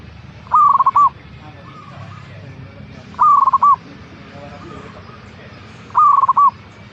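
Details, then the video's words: Local zebra dove kept in a cage, its song played to spur other caged birds to sing: a loud, clipped cooing phrase of rapid pulses ending in a separate note, repeated about every 2.7 seconds, with faint softer cooing between. "Pancingan Burung Perkutut Agar Cepat Bunyi - Zebra Dove"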